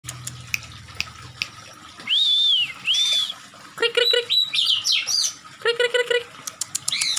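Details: Agitated Oriental magpie-robin, tail spread and in attacking mood, sings clear arched whistles, then fast varied phrases of sharp chips, rattles and harsh notes; a low hum sounds at the start.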